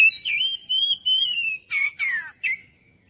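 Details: Oriental magpie-robin song used as a lure to get other birds singing and responding: long sustained high whistles, then sharper descending slurred notes in quick bursts, in a quiet setting.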